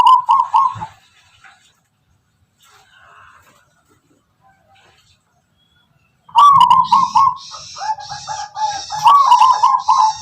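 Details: Local wild Tuban-strain zebra dove singing in its characteristic rhythm: a short burst of rolling coos, a long silence, then steady repeated coos mixed with hissy broadband noise.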